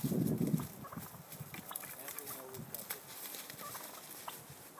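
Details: Male wild turkeys fighting for dominance on California's central coast; a loud, dense burst of deep rattling notes opens, then only soft scattered low sounds remain.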